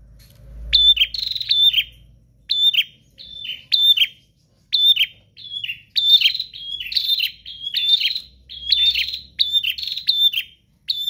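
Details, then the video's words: Prinia in 'gacor' song, with short bursts of high, buzzy chirps at first spaced irregularly, then quickening into denser runs; a faint low rumble is heard at the start. "Prenjak GACOR Ngotot Full Durasi Tanpa Jeda"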